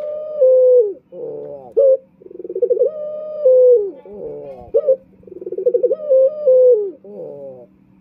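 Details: Male Barbary dove (puter) cooing to draw in rival males: a soft pulsing lead-in, then a sustained smooth coo that dips at its end and a rippling rolled tail, heard three times over a faint low hum.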